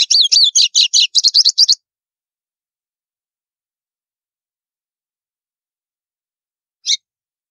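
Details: Rapid estalo song of a White-throated seedeater, sung to warm up other birds. A dense run of high slurred notes and crisp chips lasts nearly two seconds, then silence and one isolated sharp note.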